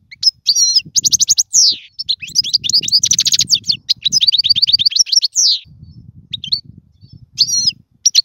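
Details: European goldfinch song used for teaching young birds to sing: rapid bright twittering bursts and buzzy trills, with short pauses and a soft low rumble underneath.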